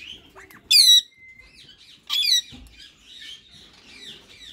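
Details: White male and green rose-ringed parakeets in talking mode give two loud, piercing, harmonic-rich squawks about a second apart, one trailing into a thin steady whistle, between soft murmured chatter.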